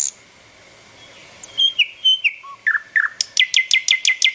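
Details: Chirping bird heard after a quiet start: scattered whistled notes and downslurred sweeps build into a rapid, evenly paced series of sharp descending chirps, about three per second.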